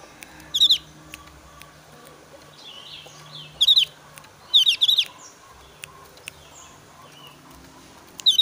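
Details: Javan grey-throated white-eye, highly worked up during breeding season, uttering challenge calls: scattered bursts of high, sharp, chattering notes, some in pairs, with soft calls of other birds in between.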